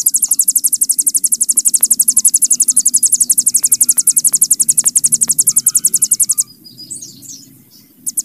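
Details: Hill prinia giving a sustained, very rapid, high-pitched 'bren' trill for about six seconds, followed by scattered soft chirps and quiet.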